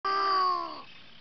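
A single penguin call, a clear, steady tone lasting under a second and dipping slightly in pitch at the end, followed by soft background hiss.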